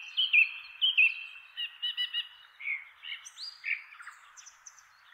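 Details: Male Song Thrush (Manu-kai-hua-rakau) giving its tree top call from a chestnut tree in inland Kapiti, New Zealand: loud clear whistled phrases, short notes repeated two or three times, then varied rising and falling motifs.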